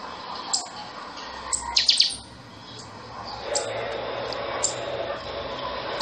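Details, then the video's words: Chanchão song of the buffy-fronted seedeater: scattered high, piercing notes, then a rapid cluster of three or four bright, descending metallic strokes, then further spaced high chips over a steady low background murmur. "CANTO DO CHANCHÃO - PIXOXÓ"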